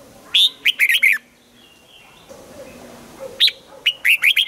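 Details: Morning song of a red-whiskered bulbul in the double-note (âm kép) style of mature wild-caught birds, used for song training. Loud, lively phrases of sharp, rising and falling whistled notes come in two clusters with a hushed pause between.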